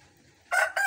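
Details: Rooster gives two quick, hoarse, ringing bursts of a crow, back to back, after a moment of near silence; the owner finds these roosters' crowing strangely lazy, unlike any rooster crow heard before.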